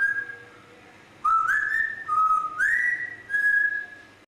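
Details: Grey parrot producing clear, pure whistles that slide upward and then hold steady, broken by brief rough clicks between notes, in a continuous run of about four phrases in a quiet indoor setting.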